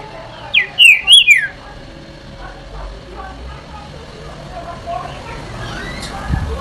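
A green-winged saltator gives one loud, quick phrase of four clear, sliding whistles, then falls silent over a faint background hiss.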